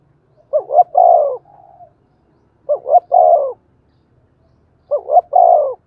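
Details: Cooing spotted dove with a thổ đồng style voice, used to make wild-caught doves start cooing. Three phrases, each a quick double note followed by a drawn-out falling coo, then a soft trailing note.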